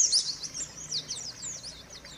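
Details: Used to coax a silent white-eye back into song, a faint, brief burst of high, thin twittering notes runs over a soft hiss of background noise.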